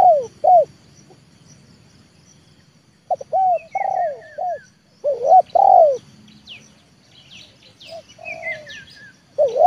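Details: Leopard-type spotted dove trained to lure a wild bird down to the yard, giving loud stuttering coo phrases with long falling notes. A fainter dove answers in the middle, among high chirps and whistled descending notes of other birds.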